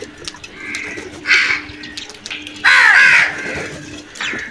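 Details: A crow at food gives a few scattered rasping caws, one long loud drawn-out caw near the middle, with softer distant calls and a low hum behind.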